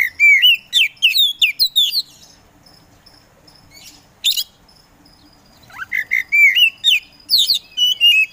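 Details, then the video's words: Oriental magpie-robin, kacer poci form, singing hard to provoke rivals: fast chains of looping whistles, a pause with one sharp note, then a rising slur leading into more rapid whistled phrases. "KACER POCI GACOR SANG PROVOKATOR"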